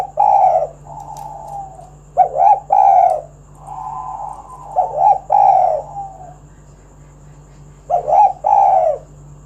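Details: Spotted dove calling to lure other doves into singing: soft, drawn coos alternating with louder, burry doubled coo notes, phrases repeated every few seconds, with a quiet continuous hum behind.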